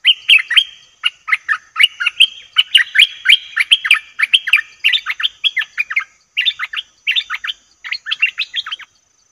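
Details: Bulbul recorded as a lure for aggressive wild birds, delivering a long, almost unbroken stream of quick bubbling chattering notes for about nine seconds, the pace easing slightly near the end.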